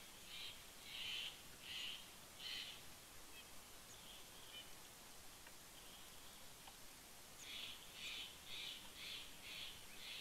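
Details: A Steller's Jay visiting a bald eagle nest at Big Bear Lake, California, on 2019-09-18 gives harsh, raspy calls in quick series, about four, a pause, then six more, over faint outdoor hiss.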